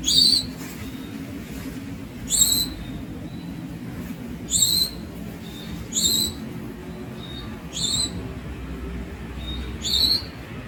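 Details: Young Javan Munia giving short, thin, high-pitched calls, each a quick upward-swept note, repeated about every one and a half to two seconds, seven in all, over a low steady background hum.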